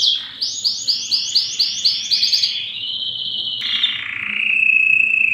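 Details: Loud Belgian canary song aimed at attracting females for breeding, opening with a series of evenly pulsed chirping trill notes, then a smooth rolling trill sliding to a lower steady tone.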